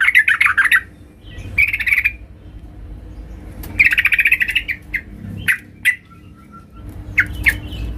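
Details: Female sooty-headed bulbul calling the male, used as a lure sound: harsh chattering bursts of rapid notes, a long scratchy run at the start and again near four seconds, with shorter sharp notes between and faint low background hum.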